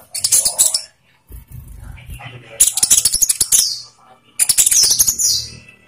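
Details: Olive-backed sunbird song used as a lure to prompt captive birds to sing: three bursts of dense, high-pitched, rattling chirps, each about a second long, separated by brief quieter gaps.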